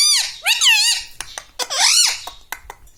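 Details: Pet parrot talking indoors, copying words like mummy, papa and radhe radhe; strained, squeaky arching syllables, two long wavering phrases with short clicks between them.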